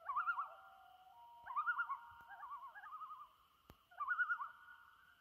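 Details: Loons on Trout Lake at sunset in May 2019, a chorus of rapid quavering tremolos in bursts every second or so over a long steady whistled tone, one sharp click midway.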